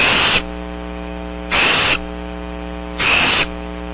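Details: Downy barn owl chicks at Starr Ranch beg for food on a rainy March 6, 2010. Three short rasping hisses arrive about every one and a half seconds over a constant low mains hum.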